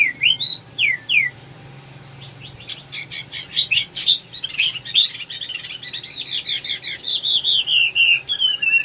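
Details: Red-whiskered bulbul song of slurred whistled notes, then a pause, a burst of rapid clipped notes and a long chain of bright warbled phrases sliding up and down.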